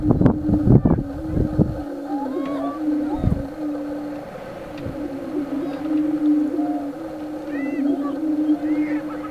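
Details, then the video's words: Prairie chicken at a dancing display: low, steady hooting moan held for seconds, with short rising whoops and cackles above it; heavy low thumps of wind or handling noise in the first two seconds. "Prairie chicken dance"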